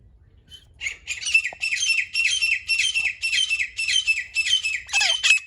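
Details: Female grey francolin calling: a harsh, squawky burst repeated in a steady run of about nine notes roughly every half second, ending in a louder, ragged note, with a faint low hum behind.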